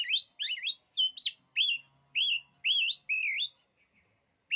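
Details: Oriental magpie-robin, locally kacer, in song claimed to intimidate other kacer: clear, slurred whistles rising and dipping, each about half a second, given in a steady string with short gaps.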